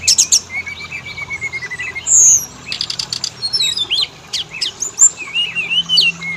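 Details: Oriental magpie-robin song used as a lure for males and females: steady whistled notes, a loud rich whistle near two seconds, then clustered rattles and downslurred phrases.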